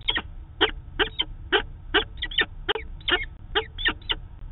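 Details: Manchester, New Hampshire peregrine falcons on a live cam, daily meeting, 2 September 2018: raspy, slightly bending chupping calls in pairs and triplets, about a dozen across four and a half seconds, low hum underneath.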